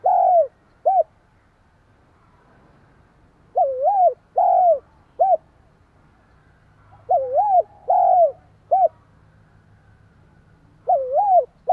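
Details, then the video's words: Spotted dove repeating its provoking coo phrase to stimulate another dove. Each phrase has two or three wavering coos and a short closing note, repeated several times with gaps between. A soft, low droning sound sits underneath. "Tiếng chim cu gáy kích bổi, tiếng gáy nghe ức chế."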